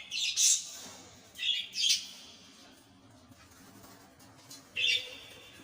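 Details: Lovebird calls: a burst of high, piercing chirps, then a quick pair of squeaky screeches and one more sharp shriek after a pause. Steady low background hum throughout.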